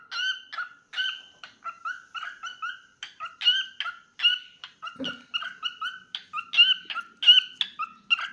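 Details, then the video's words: Pet cockatiel in a lively singing bout, chirping rapidly in clipped, bright notes with short gaps. One brief low thud is heard midway. "Adorable Cockatiel Milo's Cute Singing Moments"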